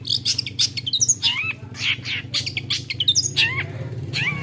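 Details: Long-tailed shrike, able to mimic many kinds of birdsong, delivers a busy jumble of harsh squawks, slurred whistles and chirps in quick succession over a low background hum.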